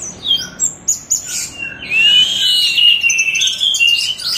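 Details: Orange-headed thrush singing a rich, varied run of high whistled and chattering phrases: quick notes at first, then a long, sweeping, slightly buzzy warble, used as a master song for training other cage birds.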